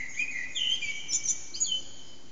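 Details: Around 4:30am a hidden Eurasian blackbird sings in a backyard whose echo makes it loud, HTC Desire recording: a brief burst of clear whistles climbing into thin squeaky notes.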